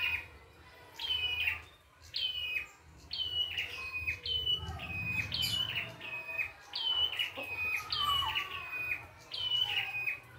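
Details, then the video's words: Red-headed prinia singing in the wild, full varied song: a string of bright whistled phrases, each dropping in steps from high to mid pitch, about every second, with a low background rumble in the gaps. "PRENJAK KEPALA MERAH GOCOR FULL ISIAN"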